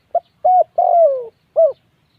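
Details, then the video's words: A single spotted dove phrase: a brief soft note, a level hollow coo, a long coo gliding downward, and a short final coo, clear against silence. "tiếng chim cu gáy gu"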